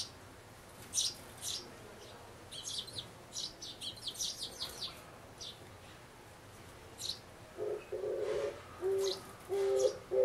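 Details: Sparrow parents urging a nestling to leave a nest box, May 2012; quick bursts of high chirps early on, then fewer notes and a lower humming noise near the end.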